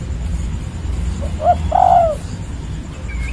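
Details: Spotted dove, 'kuk 3' style: a faint short coo then a longer slurred coo, fairly distant, against steady low-frequency rumble.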